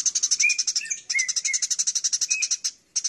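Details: Fighting Eurasian tree sparrows (burung gereja tarung) in a long training recording: rapid, dry, high chirps about four per second in near-continuous bursts, with a few short lower whistled notes slipped in.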